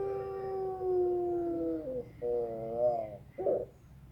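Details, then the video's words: A Pelung rooster crows in a quiet voice. A long, level harmonic note slowly sags in pitch, then comes a wavering, slightly rising phrase, and it ends with a short rough burst. "PUTER PELUNG SUARA PELAN"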